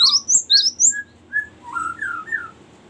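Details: Cinereous tit song of the long rolling type used for luring and training birds. Four strong high chirps are followed by softer, lower slurred whistles that rise and fall.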